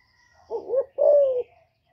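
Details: Female spotted dove calling to stir up newly kept male doves, a clean single phrase: a double rising coo, a brief gap, then one drawn-out level coo that sags at its end, then quiet.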